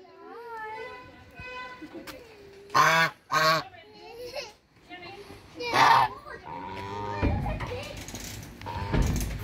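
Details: Hungry brown Chinese geese on a farm give a few loud nasal honks in a pair and then singly, with softer whining calls and a person's voice in the background.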